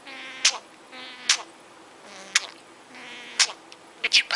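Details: Pet male talking budgerigar chattering Russian-like speech phrases in a thin, buzzy, nasal voice, broken by sharp clicks and squeaks, with a faint room hiss behind.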